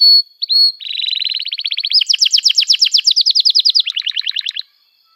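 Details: Long, vigorous canary song meant to teach young canaries: two clear whistles, then a rolling trill building into loud repeated double notes and a lower buzzy close.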